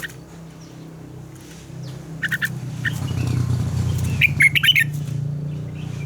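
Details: Red-whiskered bulbul morning training song in the mature wild double-note style: a few soft chirps, then a fast cluster of bright whistled notes, over a loud low rumbling hum.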